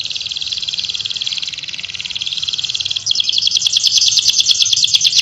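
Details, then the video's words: Energetic canary song loaded with Javan whistling thrush mimicry, fast and tight: a steady high rapid trill for three seconds, then a louder, sharper burst of chattering trilled notes climbing higher. "KENARI GACOR!!! isian ciblek ngebrem"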